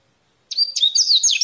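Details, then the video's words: Coleirinho in the wild giving a wild-type song: after brief silence, a loud burst of high, quick whistled slurs and buzzy trilled notes running to the end. "Esquenta qualquer coleirinho com esse canto mateiro"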